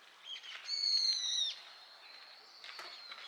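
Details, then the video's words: Brown-eared bulbul, one of many singing while seeking nectar in blooming Harumeki cherry trees in spring in Minami-Ashigara City, Kanagawa, Japan, on a weekday: a short lead-in note, then a loud, shrill squeal sliding slightly downward for nearly a second; faint clatter follows. "Có rất nhiều chú chào mào tai nâu đang hót"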